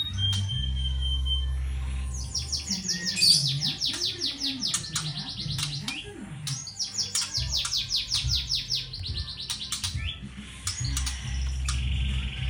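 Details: Juvenile white-rumped shama aged one and a half months in crackling 'kretekan' mode, meant to stir other birds: two long rattling runs of rapid, sharp downward-sweeping ticks separated by a brief pause, over a low droning hum.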